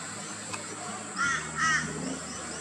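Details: Rainbow bee-eater (Merops ornatus) in Australia, calling and feeding in the afternoon and at sunset: two short, rolling trilled calls about half a second apart, over a steady high insect-like hiss and a low droning hum.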